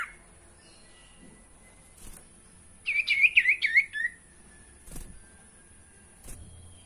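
A sirtu gives one quick warbling burst of about a second, high and wavering up and down. A steady high whine and a few soft clicks run throughout.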